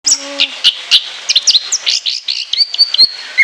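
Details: Orange-headed thrush, anis kembang, delivering a long varied shrill song: a fast jumble of whistled notes, slurs and chattering phrases, loud and continuous, with sharp piercing peaks.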